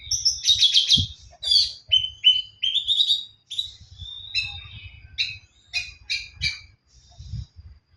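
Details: Oriental magpie-robin in song, seeking a rival: rapid run of varied chirps, whistles and harsh rattling notes in short bursts, about three per second, with one low thump early on.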